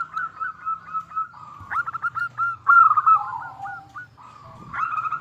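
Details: Local zebra dove singing as a lure for other doves to answer: soft, rolling coos build into a louder run of crisp repeated notes, then slide lower before resuming.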